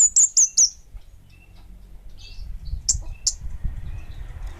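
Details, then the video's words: Orange-headed thrush singing in a lively, prolific way: three loud, very high, thin downslurred notes in quick succession, then a pause and two more sharp high notes over faint low rumble. "Suara Burung Kemade Bunga Api Gacor!!!"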